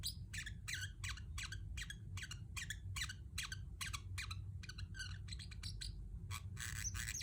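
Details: Pet Pacific parrotlet delivering rough, squawky chirps in a fairly regular rhythm, several per second, with a brief quicker flurry and louder harsh notes toward the end, low hum beneath.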